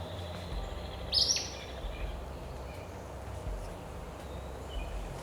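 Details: An Acadian flycatcher, found early on a mid-June morning near the Twin Cities, a little north of its normal range, gives its loud, sharp, explosive two-syllable call above a steady low rumble with faint distant birds.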